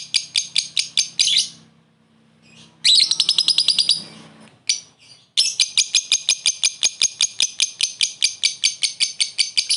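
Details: Lovebird calling a rival, with a short ngekek laughing call used to lure: rapid series of shrill, high chattering chirps in fast pulsed bursts, one long run near the end.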